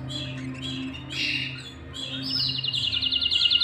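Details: Domestic canary, with a male and female pair and chicks fed in the nest. Scattered chirps at first, then a fast, even, high trill rising in volume. A low steady hum runs underneath.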